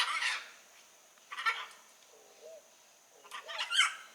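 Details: Wild blue-and-yellow macaw giving loud, grating squawks, one at the start, another near the middle and a rough cluster toward the end, separated by quiet gaps.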